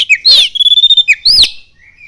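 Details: Loud, ringing oriental magpie-robin phrase with common iora mimicry: a bright downslurred whistle, a long steady whistle beaded with quick pulses, then an arching high note and a soft trailing whistle.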